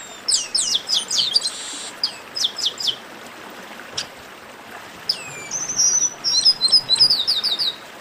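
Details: Baderna chorus of chestnut-capped blackbirds, used to warm up singing birds: dense bursts of descending chirps early on, a lull, then a long rising swoop into a fast run of high whistles and trills.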